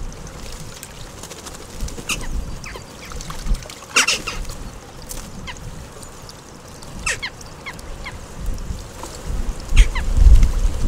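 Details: A whole group of western jackdaws bathing together at a bird bath in Recke, Germany, on 5 May 2021. Short sharp calls ring out at scattered moments over steady splashing and dripping water.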